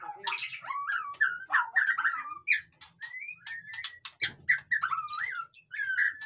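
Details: White-rumped shama in energetic noisy song for motivating reluctant caged birds: continuous mellow slurred whistles mixed with sharp clicks and rattling chips, phrases flowing with little pause.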